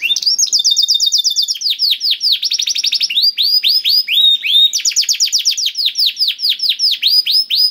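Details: Canary song played to coax a reluctant canary into singing: rapid rolling trills of repeated downswept notes alternating with sweeping whistles, continuous and loud throughout.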